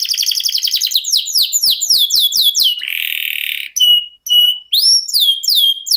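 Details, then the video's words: Canary singing fast descending whistled notes in series, a harsh buzzy stretch, then separate rising whistles and quick looping syllables. "NGEROL SEJALUR DURASI PANJANG..!"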